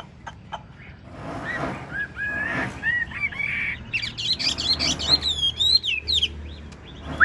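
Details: Caged Chinese hwamei, large-bodied, singing ngũ trường song with nodding display: scattered notes build into a high, fast flurry of whistled slurs over background noise.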